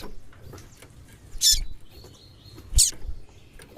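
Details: Female white-throated seedeater giving calls meant to excite a male: two brief, piercing high chirps about 1.3 seconds apart, with quiet rustling in between.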